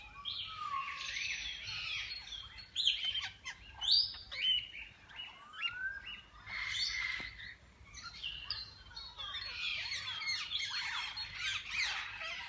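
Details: Several kinds of parakeets in a walk-in aviary at a parrot zoo, where visitors feed and hold them: dense overlapping chirps and warbling chatter from many birds, with short rising and falling notes throughout.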